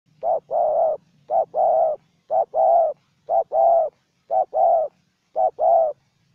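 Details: Spotted dove, a decoy and a wild bird trading calls during bird trapping. Low mellow coos in pairs, a short note then a longer one, repeated about once a second in a steady run. The background is quiet with a faint low hum.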